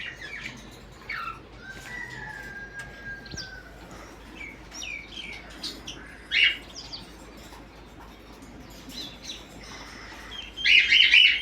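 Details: Parrots in the morning: scattered short chirps and harsh squawking bursts, with a longer steady whistled note early on and loud rough calls near the end, over a low background hum.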